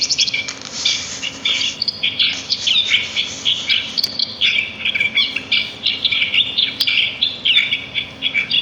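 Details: Sparrows chirping in nature, a steady stream of bright, high, overlapping chirps and short twitters from several birds, dense and lively throughout.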